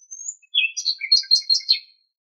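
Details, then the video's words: Common nightingale song from Greek countryside: a rising thin whistle leads into a fast series of about six sharp, warbling chirped notes, evenly spaced and bright, in quiet surroundings. "Το Αηδόνι Κελαηδάει - Αηδόνι Κελάηδημα - Nightingale singing"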